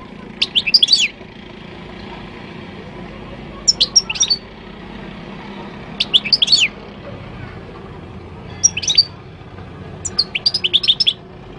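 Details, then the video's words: Moroccan goldfinch song from Morocco: five short clusters of sharp, high twittering notes spaced roughly every two seconds, with a steady low hum beneath. "تغريد الحسون المغربي chant de chardonneret marocain"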